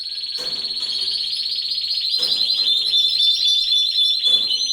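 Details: Canary song from a home aviary in breeding season: one continuous, fast, high rolling trill that stays level in pitch and throbs evenly throughout, with faint clicks underneath.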